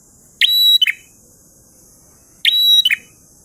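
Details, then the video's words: Two identical phrases from a prinia singing ngalun style, about two seconds apart. Each has a sharp start, a long sustained thin whistle and a brief descending flourish, with quiet pauses and a constant high background hiss. "Prenjak Gacor Ngalun Syahdu"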